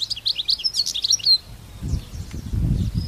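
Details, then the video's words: European goldfinch, a wild bird in open country, gives a burst of fast liquid twittering for just over a second, followed by low rumbling noise like handling or wind. "تغريد طائر حسون خلوي سوفاج في برية"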